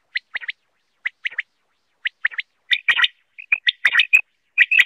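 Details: Quail calls used as a hunting lure: crisp three-note chirping phrases repeated about once a second, then denser, overlapping sharp chirps toward the end.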